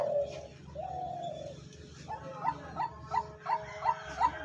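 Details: New five-and-a-half-month-old captive Spotted dove kept as a hunting decoy, just starting to call, with a thick voice, giving soft mid-pitched coos, then a run of quick repeated notes about three a second, with a low hum.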